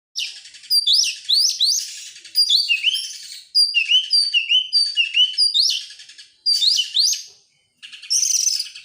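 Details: Oriental magpie-robin song used as a lure to make other birds sing: varied whistled phrases with sharp downward and upward sweeps, delivered in bursts with short pauses, clear and loud, no other sounds.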